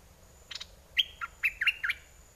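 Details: Red-whiskered bulbul decoy bird, in an aggressive or wild mate-calling style, delivering a short series of clear, bouncy whistled notes after a brief buzzy rattle, against a faint steady background hum.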